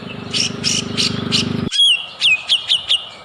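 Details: White-rumped shama singing as a lure for other shamas: rough buzzy bursts about every third of a second over a low rumble, then clear downslurred whistles repeated four times.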